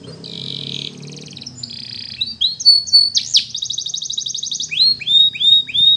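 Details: Canary training song: buzzy high trills and rattling rolls alternate with clear, rising whistled notes and a descending series of slurred chirps, with a faint low hum underneath.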